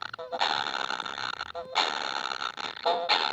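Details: Baby kingfishers begging for food, never satisfied: harsh, buzzy rasping bursts, each about a second long, broken by short pauses, with a brief lower tonal note before each burst.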